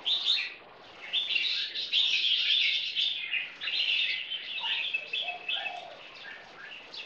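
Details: Two red-whiskered bulbul crossbreeds, one a 10-month-old, sing in a dense, overlapping stream of bright, chattering phrases, fast and irregular, with short gaps between bursts.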